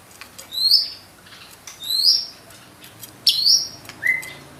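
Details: White-rumped shama singing sparse, high upslurred whistles about a second apart, ending with a lower falling note; quiet room background with faint clicks.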